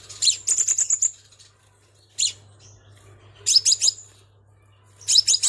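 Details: Crimson sunbird call used as a lure, given in four bursts of rapid, high-pitched twittering chirps separated by short pauses, over a constant faint low hum.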